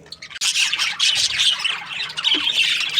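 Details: Budgerigars from breeding pairs break into loud, harsh squawks and shrill chirps after a short quiet opening, the calls crowding together densely.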